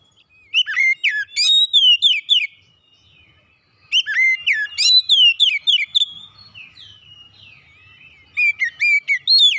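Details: Caged Oriental magpie-robin singing a lively, varied song of sharp whistled notes, slurred up-and-down phrases and quick chirps, delivered in two bursts separated by a short pause, with a faint low hum beneath.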